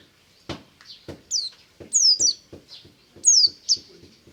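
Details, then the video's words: White-eye singing in the morning in the ngalas style: a few high, sharp downslurred notes in short pairs, over repeated dull knocking clicks. "BURUNG PLECI NGALAS DI PAGI HARI"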